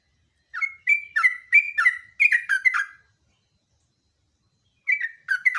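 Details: Lively Sooty-headed bulbul song used as a lure and master recording: a fast string of about ten short whistled, slightly slurred notes over two and a half seconds, a long pause, then another short burst.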